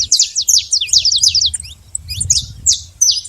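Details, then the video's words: Free saffron finch in nature giving a rapid, twittering series of high, sharp chirps that slows into spaced single notes toward the end, over a soft low background hum. "canário da terra livre na natureza"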